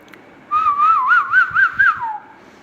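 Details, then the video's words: Pet ringneck parrot giving a single clear whistled phrase about one and a half seconds long. It wavers up and down in a quick trill-like warble, then slides downward at the end, in a quiet room. "talking heavan beautiful ringneck parrot"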